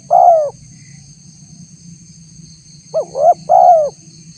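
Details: Spotted dove calling to lure wild doves into responding, tagged as a female calling a male: the tail of one long falling coo, a pause, then a full short-rising-long phrase, backed by a steady electronic whine and low background hum.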